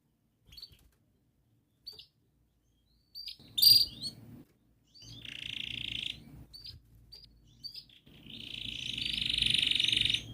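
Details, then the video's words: Canary singing as a lure to coax silent or young canaries into song; scattered short high chirps, then two long buzzy rolling trills held steady, with quiet gaps and a faint low hum. "Kenari Gacor Panjang Cuit cuit Ngerol"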